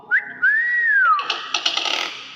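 A common hill myna gives a short rising whistle, then a long, clear, arched whistle, followed by a few rough, noisy chattering bursts.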